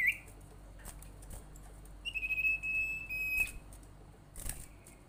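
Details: Common iora lure call aimed at making other ioras call: a brief chirp, then a steady trilled whistle of about one and a half seconds, with faint clicks and knocks around it.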